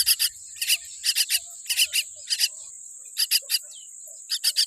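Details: A baby common myna with a weak beak gives repeated grating double and triple calls at a steady pace while insects drone shrilly and continuously in the background.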